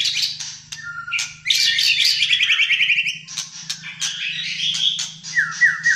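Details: Malaysian white-rumped shama singing fighter style, a caged bird in full song: a busy, fast mix of whistles, trills and buzzy rattles, closing with three quick descending slurred notes, over a faint low hum.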